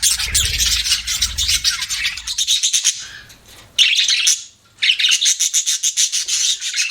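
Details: Pet budgies chirp in quick buzzy bursts, broken by a short quieter gap with a descending whistle, then the rapid chatter resumes.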